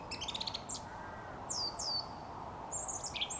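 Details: A song thrush sings at dusk outside a studio: high, bright repeated phrases, first a quick stuttered run, then two clear falling whistles, then a squeaky flourish, over a steady low background hum.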